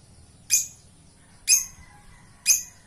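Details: Lovebird singing actively, giving three loud, harsh, shrill shrieks, each very short and spaced about a second apart, over a quiet background with a faint steady high tone.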